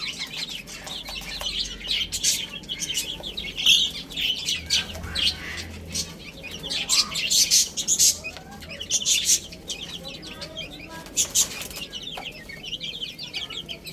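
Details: Baby chickens feeding and playing: a busy chorus of thin, high chirps that swells and fades, with sharp clicking taps and scratchy rustles between the calls.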